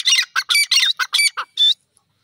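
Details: Grey francolin, locally called teetar, calling: seven loud, harsh, shrill notes in quick succession over under two seconds. The final note is longer and more whistled, followed by silence.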